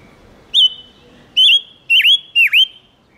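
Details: Whistled lure song of a silver-eared mesia meant to attract wild birds. Four ringing notes: a rising opener, then phrases that dip and curve upward, the last two doubled, in a near-silent setting.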